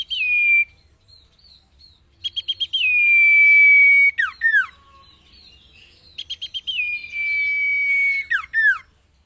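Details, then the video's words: Common iora song meant for training cage birds. Twice, quick chips lead into a prolonged level whistle that finishes with two steep falling notes. Softer whistles sound in the pauses. "MASTERAN - Burung Cipeuw/Cipo Terbaik"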